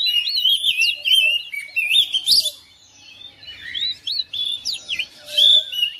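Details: Oriental magpie-robin in a home setting replying to another bird, with sweet whistled slurs and rapid chattering bursts, a brief quiet spell midway, then renewed phrases.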